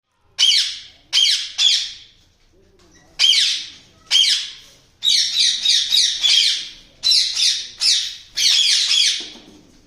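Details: A caged breeding pair of yellow ringneck parakeets gives loud, harsh squawks, about a dozen over ten seconds, some single and some in quick runs of three or four, indoors.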